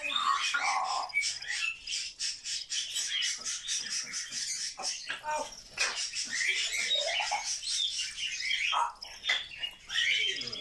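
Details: Pet grey parrot, said to chatter non-stop all day, pours out rapid raspy squawks and speech-like babble in dense bursts, broken by brief whistled slides near the end.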